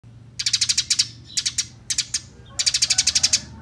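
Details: Eurasian tree sparrows fighting, recorded as a songbird training track: bursts of rapid, high, dry chirps in four rolling series, the last one longest, with a faint low hum beneath.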